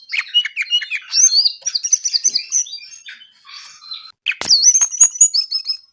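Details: Lively brown-eared bulbul song: rapid tumbling whistles and chirps in a dense stream, a brief pause, then loud looping whistled phrases with sharp accents.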